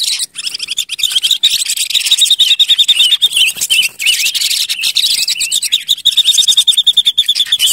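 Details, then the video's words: Silver-eared mesia (Leiothrix argentauris), a lure or decoy bird, in a busy, high-pitched outpouring of chattering notes broken by quick level trills of even, rapid notes. "Tiếng chim Ngũ Sắc mồi | Sounds of Leiothrix argentauris"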